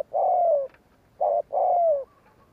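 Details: Spotted dove cooing in the gù kích style used to lure wild doves: a long, smooth, falling coo, a short coo and another long descending coo, clear and close.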